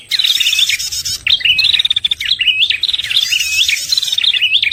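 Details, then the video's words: Prinia lure call, the red-headed prenjak type used to draw birds in for trapping: loud zigzag whistles alternating with rapid buzzy trills, phrases repeating roughly every one and a half seconds. "suara pikat prenjak paling ampuh, simpanan lama dari pemikat terdahulu cocok untuk pancingan prenjak"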